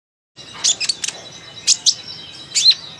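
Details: Sunbird, known locally as kolibri ninja, chattering with a few sharp, very high chirps and short buzzy notes spaced irregularly over about three seconds, against quiet background hiss.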